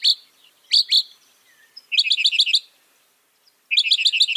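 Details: High, sharp song of a northern mockingbird, a mimic able to copy 200 sounds: three piercing upswept notes, then two quick strings of about six chirping notes each, separated by a second of quiet.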